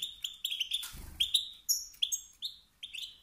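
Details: Goldfinch male from the wild, calling to provoke rival males into song; crisp, separate chirps and short slurred notes spaced a fraction of a second apart, one brief rustle midway.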